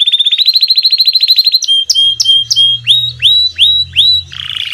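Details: Domestic canary delivering a rapid, even trill of about fifteen repeated rising notes, then slower, loud upslurred whistles roughly every half second, ending in a scratchy buzz; a soft low hum runs in the background.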